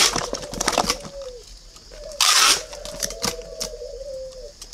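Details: Red-billed, yellow-legged spotted dove in a cage at a Ba Vì bird garden near Hanoi, Vietnam, cooing in long low mellow phrases, one broken by a loud rushing burst of noise, with scattered clicks.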